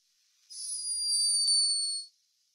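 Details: A sleeping hummingbird, recorded by a scientist in Peru, gives a thin, very high-pitched but unmistakable snore: one steady, squeaky whistle lasting over a second.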